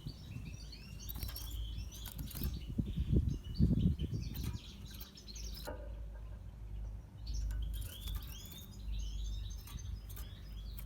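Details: A red siskin in natural pastel colouring sings in twittering bursts of high chirps and short trills, separated by a brief pause, over loud low rumbling and knocking sounds.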